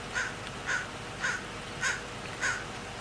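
A crow gives harsh, raspy caws in a steady series, about one every half second, with nothing else heard.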